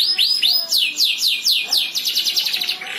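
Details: Canary song with birds answering one another: a few looping whistled slurs, then a run of rapid down-sweeping notes blending into fast high trills.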